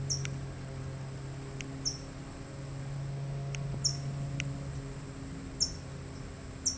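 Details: California towhee standing guard over a chick, giving thin, high, clipped chip notes at irregular intervals of one to two seconds against a constant low-pitched drone.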